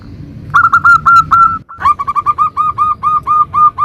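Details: Local zebra dove in lively 'nutut' song, played to entice other zebra doves to sing: clear warbling notes, a brief break, then a steady string of about fifteen crisp, rapid coos.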